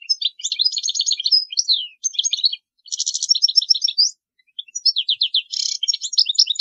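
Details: European goldfinch song used for teaching young birds: fast high twittering phrases of tinkling notes, with dense buzzy bursts near three and five and a half seconds, broken by short pauses; no other sounds.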